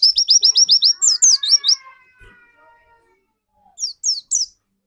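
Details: Indonesian white-eye lure song meant to spur another bird to sing. Rapid high twittered notes for nearly two seconds over a steady lower whistled tone, followed by quiet and three spaced high chirps.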